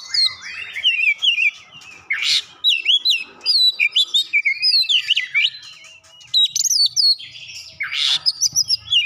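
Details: Oriental magpie-robin (kacer) song filled with Java sparrow (gelatik batu) imitations: rapid, varied whistled and twittering notes with a few harsh rasping bursts, steady and continuous.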